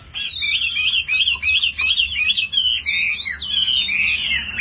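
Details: Chinese hwamei, a tame caged fighting bird, pouring out a continuous stream of loud warbled whistles, short slurred notes strung tightly together, several dipping downward phrases near the end.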